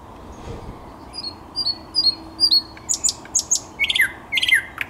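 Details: Thrush nightingale on 10 May 2021 singing soft high whistles that give way to loud sharp clicks and descending strokes, with a faint low hum in the background.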